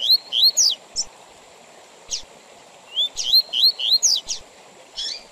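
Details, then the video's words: Double-collared seedeater singing 'tui tui zel zel' with intervals, for song tutoring and tournaments: high rising whistles with buzzy notes, a short pause, a lone note, then a longer phrase of about seven sweeping notes. "Tui Tui Zel Zel Com Intervalos Para Encarte de Coleiros e Papa capim Perfeito Para Torneios"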